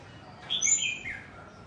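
A scarlet-backed flowerpecker gives one quick burst of thin, very high notes that slide downward, over a faint hiss.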